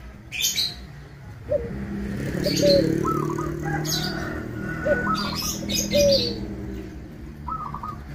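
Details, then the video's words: Local zebra dove singing, used as a lure to provoke rival doves into calling; soft low coos with short quavering trilled notes recur every few seconds, joined by sharp high chirps from other small birds. "Perkutut Lokal Gacor Suara Kristal / SPONTAN LANGSUNG NYAUT BIKIN LAWAN TERPANCING EMOSINYA"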